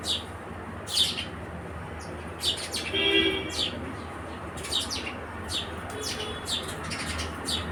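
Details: House sparrow chirps in loose clusters, short bright notes over distant low noise, a brief buzzy sound near the middle.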